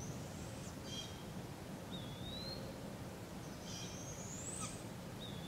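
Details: Barred owl fledglings being fed by their parents at a local park in Polk County, Iowa, on July 6, 2017: two hissing, rising screeches, one short and one longer, with thin whistles from another bird over a steady low rumble.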